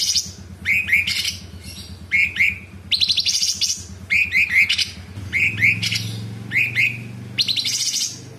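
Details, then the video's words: Cucak cungkok, the sooty-headed bulbul, singing almost without pause. Its paired rising whistled notes alternate with harsh, fast rattling bursts about once a second. A low hum runs in the background. "Cucak cungkok gacor Variasi suara tembakan istimewa besetan kasar jeda rapat dan FULL ISIAN"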